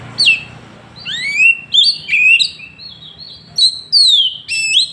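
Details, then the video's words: Oriental magpie-robin (kacer), recorded on an Android phone in Woncoyo village, Trenggalek, Indonesia; a loud song of sweeping whistled notes, rising and falling slurs and sharp upward glides in quick bursts, with a faint low hum beneath. "Tembakan kacer paling di cari sekali bunyi langsung bongkar"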